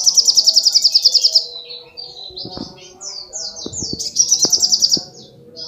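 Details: Rapid high trill from a sogok ontong opens the clip, followed by varied chirps and sliding notes, then another fast trill, with a few faint clicks in the background.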